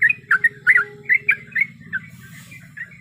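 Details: Female yellow-vented bulbul in breeding condition, calling for a male: a few loud, warbled, slurred chirps in quick succession that fade into softer notes, with a low droning hum beneath.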